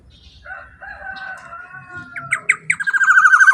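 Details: Black-naped oriole giving strong, ringing calls suited for luring others of its kind: drawn-out level whistled tones over a faint low hum, then harsh clipped notes accelerating into a dense buzzy trill.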